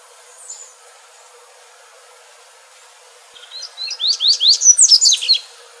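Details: A wild double-collared seedeater (Sporophila caerulescens) sings a fast, clear phrase of about a dozen high, sharply rising and falling notes, after a quiet start with faint distant chirps.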